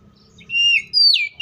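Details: Oriental magpie-robin giving a loud fighting song, used as a lure to get other magpie-robins singing: two short clear whistled phrases, the second sliding down from high to mid pitch, over a faint low hum.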